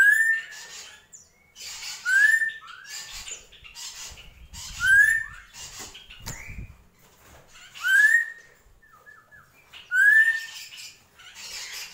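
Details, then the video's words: Drongo singing gentolang: a steady series of bright upslurred whistles about two seconds apart, each wrapped in scratchy chatter, with a soft low rumble midway. "SRIGUNTING KRANTIL | GENTOLANG"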